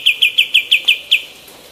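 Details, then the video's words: Female white-eared bulbul in full voice, used as tutor material for other birds: seven sharp, clear chirps at a brisk, even pace, about six a second, then quiet hiss. "KAPAS TEMBAK BETINA GACOR"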